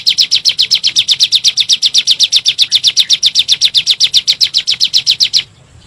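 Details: Bar-winged prinia, 'nembak' lure recording for caged birds: a long even train of shrill chipping notes, around forty in five seconds, stopping abruptly near the end, leaving quiet.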